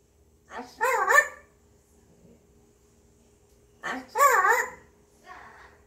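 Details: Grey parrot, apparently in a good mood, humming to itself: two wavering, voice-like hummed phrases about three seconds apart, each opening with a short clipped note, over a faint steady hum.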